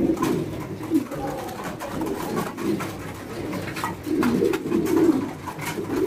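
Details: Caged fancy pigeons, domestic pigeon breeds kept for breeding on a pigeon farm in India, cooing indoors: overlapping low, throaty rolling coos from several birds, with clicks and cage knocks between them.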